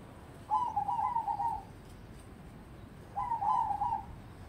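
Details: Captive crossbred zebra dove judged promising for song competition delivers two long, bubbling coo phrases with a quavering, stuttered rhythm, each about a second long, amid faint background noise.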